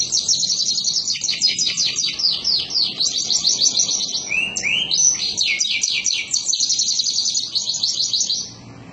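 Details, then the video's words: Canary in full song: long rolls of rapid high trills broken by a short lower whistled note midway, then more trilling that fades near the end. "اجمل تغريد للكناري"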